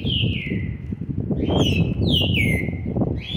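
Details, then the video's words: Whistled descending phrases, repeated three times in quick succession, from a young green-winged saltator of seven months and twenty days, called brabo, on 13 November 2020; steady low-frequency noise underneath. "trinca ferro ( BRABO ) FILHOTE DE SETE MESES E 20 DIAS JÁ MOSTRANDO SUA GENÉTICA"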